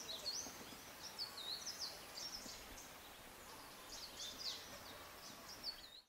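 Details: African Paradise Flycatcher (Terpsiphone viridis kivuensis) at Kibuye, Rwanda, in March 2013, giving high, thin, buzzy chirps in quick bursts every second or so over a steady background hiss.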